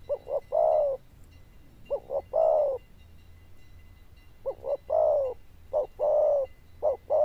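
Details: Zebra dove with a strong bell-like voice repeating cooing phrases of two fast stuttered notes and a longer descending coo, with pauses between groups and a faint steady tone behind.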